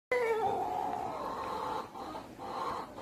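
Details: Rooster crowing, a loud drawn-out harsh call lasting about three seconds with a rising start, two brief dips in strength near the end, and no other clear sounds.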